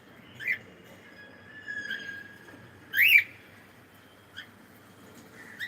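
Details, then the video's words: Cockatiel uttering one strong arched chirp midway, with a couple of fainter short chirps and a soft, level drawn-out whistled tone before it. "Cute Cockatiel singing and sound"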